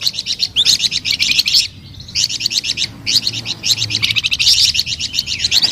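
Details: Melodious, lively song of a flamboyan bird: bursts of rapid, high, buzzy chirps broken by brief pauses, each burst several notes a second.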